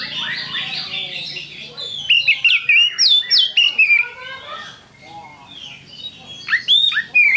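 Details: Oriental magpie-robin, known locally as kacer, used as a lure bird in songbird keeping; loud varied whistled phrases with sharp rising and falling notes, bursts of rapid chirps, quieter warbling between, faint background hum.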